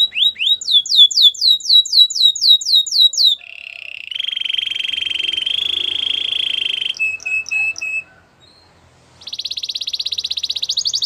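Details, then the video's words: White canary singing: a run of rapid descending whistled notes, then a long buzzy trill held steady, short paired chips, and a fast high rattling trill, all strong and clear. "Canary singing birds sounds at its best | White canary singing"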